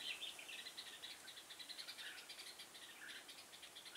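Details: A trapped red-whiskered bulbul, recorded 6 November 2017, sings quick, bright chirps and short whistled notes, several each second, fairly faint over a soft background hiss.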